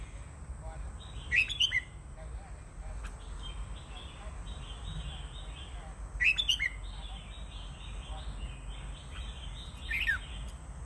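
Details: Red-whiskered bulbul song in three brief bursts a few seconds apart, each a quick run of sharp, rising and falling whistled notes. Softer chirps fill the gaps, over a low background rumble and a thin high whine.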